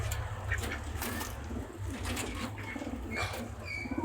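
A pigeon gives low, soft, rolling coos over a steady low rumble, with a few brief higher chirps and faint wing flutters.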